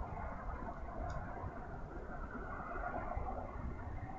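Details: A steady low rumble like distant traffic or machinery continues throughout, with one faint brief blip. No animal is heard.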